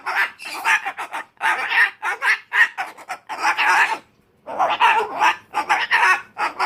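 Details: During a tantrum, an umbrella cockatoo rants in rapid, choppy, harsh squawks, nearly one a second, breaking off briefly before resuming.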